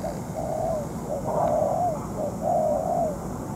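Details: Moulting spotted dove working as a ground decoy for trapping: a few long, slurred, mellow cooing phrases with short lead-in notes, rising in loudness toward the middle.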